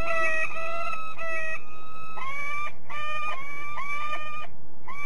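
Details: Peregrine falcon at De Mortel, Netherlands, giving a series of harsh, nasal, harmonic-rich drawn-out notes, each about half a second long, with some rising at the start and separated by short gaps.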